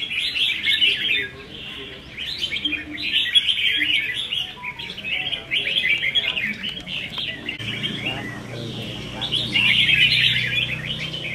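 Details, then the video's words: Caged red-whiskered bulbuls at a cage-hanging song contest practice, 15 May 2021, deliver a string of short rippling chirp phrases, briefly pausing before a loud warbled burst near the end over a low rumbling hum. "Chào Mào Đấu Giàn | Dợt Chim Chào Mào Đấu Hót"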